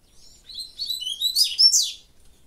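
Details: Double-collared seedeater (Sporophila caerulescens) singing from a cage held in hand: a quick run of high, twittering notes over about two seconds, growing louder to a bright final flourish.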